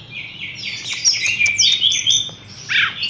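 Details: Caged Horsfield's bush lark hung up straight away, delivering a dense, high, twittering song of quick slurred whistles and sharp chirps, run together almost without a gap and ending in a falling squeaky note.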